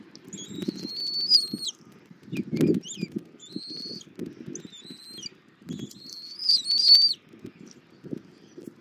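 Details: Bald eagle eaglet on a Southwest Florida nest, fed by its mother on armadillo the morning of 24 February 2024: three bursts of high, thin whistling separated by pauses, with thumps and scuffing from the nest.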